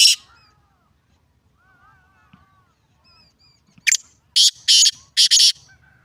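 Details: Black francolin giving a harsh, grating call of one sharp note and then three longer raspy phrases in quick succession, after several seconds of near silence with faint distant chirps.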